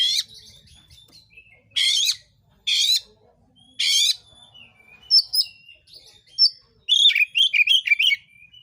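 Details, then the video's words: Oriental magpie-robin in full song, used as a lure to provoke other magpie-robins into competitive singing: four harsh, buzzy bursts, then thin whistles and a quick run of rising and falling warbled notes. "tidak lebih dari 1menit Kacer manapun BAKALAN AUTOPLAY NARUNG burung kacer gacor"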